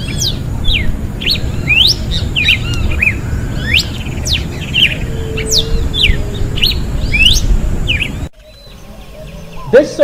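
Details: A Red-cowled cardinal in Brazil sings its melody of quick, varied chirps and sweeping whistled notes over a steady low rumble; the recording cuts off abruptly near the end.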